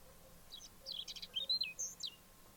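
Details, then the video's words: Whinchat singing, recorded 29 April 2023; a quick jumble of short high chirps, scratchy notes and thin whistles, some sliding down, over a faint steady low hum. "Пение лугового чекана"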